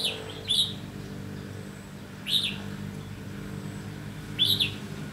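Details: Red-whiskered bulbul near a decoy bird during trapping, 30 May 2016; three brief, sharp whistled chirps roughly two seconds apart, each a quick upward flick, against a constant low hum.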